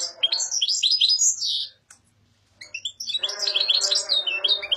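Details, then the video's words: Singing European goldfinch, song style known as "papadia": a fast high twitter, a pause of about a second, then renewed rapid tinkling mixed with harsher, buzzy chattering notes. "Καρδερίνα λέει παπαδιά!!"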